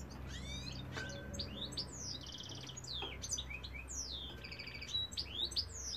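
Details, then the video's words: European goldfinch cock in song, delivering fast tinkling twitters, sweeping whistled slurs and brief buzzy rattles in a lively, irregular stream over faint low background hum. "goldfinch cock singing"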